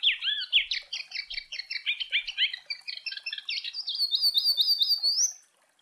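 A Rusty-collared Seedeater sings a fast, high, jumbled warble of sweet chirps, closing with a quick run of rising, slurred whistles; no other sounds.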